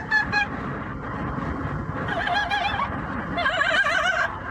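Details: Yellow-naped amazon parrot, a pet bird, making opera-like noise during the commute; a few sharp notes, then strongly warbling vibrato singing that grows louder toward the end over road rumble.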